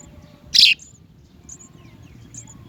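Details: House sparrow young at the nest: one loud, harsh chirp sweeping quickly downward, standing out clearly over faint distant bird chirps and a low background rumble.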